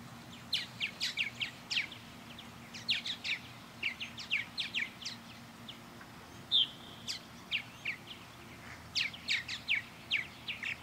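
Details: A group of purple martins orbiting a backyard birdhouse under blue sky, chattering continuously with quick chirps and gurgled notes from several birds at once.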